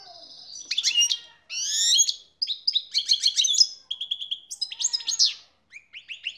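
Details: Excited male European goldfinch singing while mating with a canary: a fast, varied, high twittering song of buzzy trills, rapid repeated notes and sharp rising and falling whistles, delivered in bursts separated by brief pauses.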